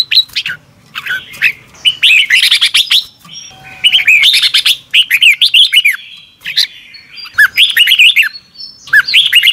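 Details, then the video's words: Lure-training morning song of a red-whiskered bulbul in the 'double twisted voice' style: long, lively stretches of fast chirps and looping, downward-curving whistles that repeat with short pauses. "Luyện chào mào hót sáng 2022 - Hót hay nhanh căng lửa | Ép bổi Giọng xoắn kép"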